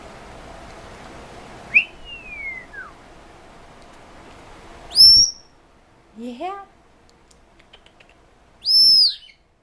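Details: Pet male Senegal parrot indoors, said to talk and scream more than usual when hormonal. A falling whistle, then sharp high whistles at about five and nine seconds, with a short stepped chirp between them over a faint background hum.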